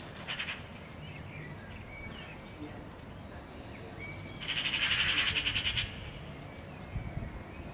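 Eurasian magpie giving a harsh, rattling chatter of rapid dry notes, with a short burst early and a longer one near the end; faint thin whistles from other birds behind.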